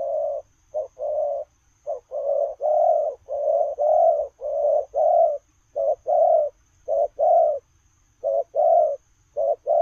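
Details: Spotted dove cooing while running, a long run of low mellow coos in short-long pairs following one another closely, about eight pairs, over a faint steady hiss.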